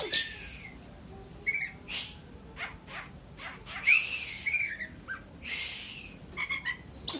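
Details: Oriental magpie-robin singing, meant to provoke aggression in a less combative bird; a varied run of whistles, harsh rasping notes and quick upward slurs with uneven pauses between them.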